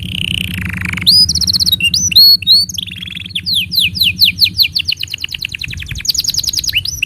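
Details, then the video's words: Canary tutor song for juvenile and silent canaries: a low descending buzzy roll, then bright chattering trills and looping whistles, followed by a long series of sharp falling slurred notes. "Masteran Untuk Kenari Paud Dan Pancingan Kenari Macet Bunyi"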